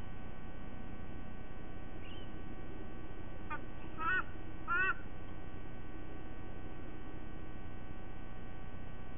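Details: A few short, nasal honking notes from a white-bellied sea eagle at its nest, Sydney Olympic Park, 5 October 2023 at 07:45, spaced about a second apart over a steady low rumble of wind or traffic.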